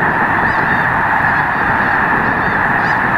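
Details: Huge wintering flock of Snow Geese, over a million birds, at Loess Bluffs National Wildlife Refuge, 21 February 2020: a thick wall of countless overlapping nasal honks, steady and loud without a break.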